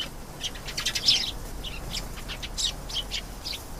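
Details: Singing canary delivering rapid high twittering phrases, sharp chirps and brief trills with short pauses between bursts, over a light low-frequency hiss.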